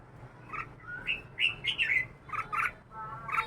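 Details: Red-whiskered bulbul, caged for two years, giving a series of short warbled notes, some rising and some falling, with brief gaps between phrases and quiet background.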